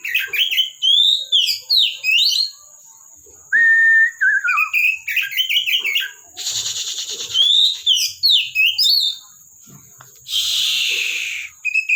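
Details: Oriental magpie-robin (kacer) kept in a collection, giving a long varied song: sweeping whistles, a clear level whistled note, tumbling chirps and two harsh hissing bursts, all over a continuous high-pitched background tone.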